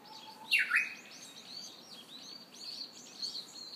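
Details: Japanese bush warbler singing in early summer in Hiroshima: a faint low whistle, then a loud, sweeping burst that drops quickly, over steady high chirping from other birds.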